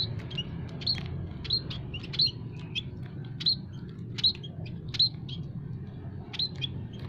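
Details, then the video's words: Aviary munias of several kinds, emprit kaji, peking and jawa, chirping as trapping bait: sharp high tweets arriving about once a second in loose bursts, against a constant low hum. "burung emprit kaji,emprit peking,emprit jawa full masteran kicau pikat paling ampuh"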